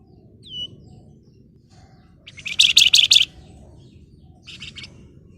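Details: Chatty flamboyan in full song, ngebren and nyerecet style: a lone thin downslurred whistle, then a loud dense burst of about five buzzy rattling notes lasting a second, followed by a softer, shorter echoing burst.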